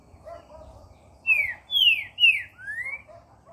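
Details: Green-winged saltator, the trinca-ferro, delivering a clear whistled phrase of four strong notes: rising, falling, falling, then a longer rising whistle, over quiet background hum.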